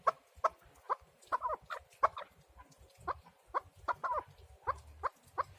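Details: Quieter chukar partridge calling, with spaced, clipped clucking notes about every half second over a low background rumble.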